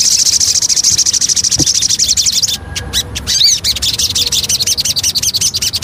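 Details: Javan cochoa lure song: a continuous, very high, rapid chattering trill broken by a brief pause with clicks and upslurred notes, then resuming.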